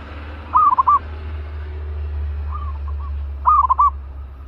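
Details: Zebra dove kept in a cage, described as spirited and ready as a decoy, utters two clear bursts of quick rolling coos with a fainter, softer burst between them, over a deep continuous hum.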